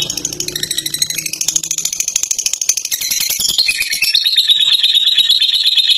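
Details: Long ngekek song from a caged fighter lovebird: rapid clicking pulses building into a loud, high, buzzy chatter that settles onto a steady tone, continuous throughout.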